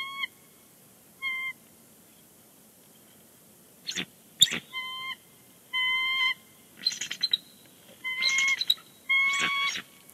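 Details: Bald eagle pair vocalizing on the nest at Big Bear Lake on 30 January 2020 before leaving; bursts of high, rapid chittering notes come between steady, flat, tonal beeps.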